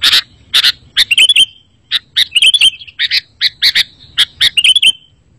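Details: Recorded to tempt other sooty-headed bulbuls into answering: a series of loud, fairly harsh chirps and short warbled notes, roughly evenly spaced, rising in bright little flourishes.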